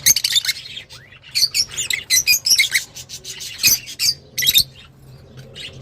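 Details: Lovebirds in a home setting giving a busy run of shrill, harsh chirps and twittering bursts, rapid and uneven, over a faint low hum.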